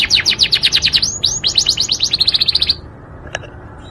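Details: A Yorkshire canary sings a rapid series of whistled descending notes merging into a fast rattling trill that ends suddenly, leaving near silence and one faint click.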